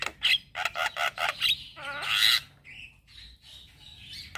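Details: Male Javan myna in the morning, recorded as lure and tutor song for starlings: a run of evenly spaced harsh chacks, a rasping squawk, then soft whistled notes.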